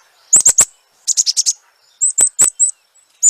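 A Black-capped Chickadee gives its chick-a-dee call: very high, thin, rapid notes in quick bursts of three to five, with short pauses between bursts.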